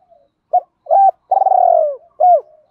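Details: Spotted dove cooing, used to stimulate other doves to coo: two short hollow coos, then a long, slightly rolling, pulsing coo that slides downward, and a final clipped coo, all low and clean against silence.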